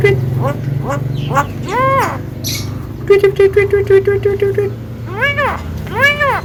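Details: Javan myna kept at home, a mimic of coughs, laughter and calls to girls, alternates arched, voice-like squawks with a quick run of about a dozen short repeated notes. Music plays low behind.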